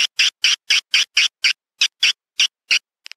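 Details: Swiftlet lure sound for a bird house: a series of about eleven short, high, harsh chip notes, evenly spaced at first and then slowing, followed by faint tiny clicks.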